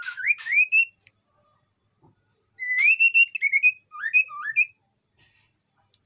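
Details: White-rumped shama in breeding condition at an Indonesian aviary, singing to lure other shamas: clear whistled phrases sliding up from low to mid pitch, with short high sweet notes between bursts and brief pauses.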